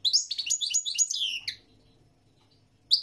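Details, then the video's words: European goldfinch singing a fast, tinkling run of high twittered and trilled notes for about a second and a half, then a short pause before another burst begins. "تغريد الحسون الملكي 🐦 chant de chardonneret goldfinch song"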